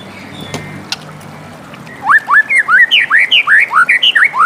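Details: Morning song of a white-rumped shama: after a quiet start with a few clicks, a rapid series of rising and falling whistled notes, roughly three per second.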